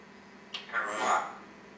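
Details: A pet Congo African grey parrot, talking and burping, gives a short click, then a brief voice-like phrase with a rough, throaty texture in a quiet room.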